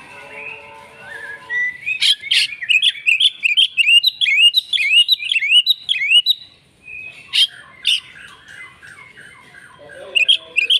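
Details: Oriental magpie-robin showing off its repertoire in agitated fighting song: harsh bursts, then a long chain of looping whistled notes, a brief pause, then more rasping bursts and twitters over low background chatter.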